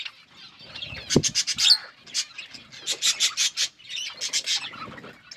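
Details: Parakeets chirping as they eat, rapid scratchy pulses in short series, a soft low knock early on, and warbling chatter between bursts.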